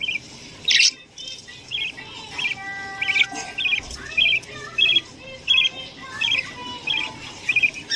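A young budgerigar gives short, scratchy chirps in quick bursts, repeated over and over.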